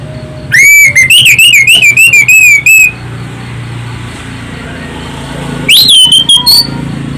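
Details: Orange-headed thrush song used as a lure to prompt other birds to sing: loud, shrill whistled phrases, a burst of rapid wavering high notes lasting over two seconds, then a pause and a brief rising whistled phrase near the end.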